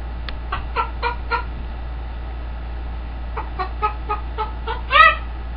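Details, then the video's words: Captive green-winged macaw clucking like a chicken: two series of five or six clipped, evenly paced clucks separated by a pause, ending in one louder, drawn-out cluck. A low hum runs throughout. "Macaw -Singing, Dancing, Clucking like a Chicken!"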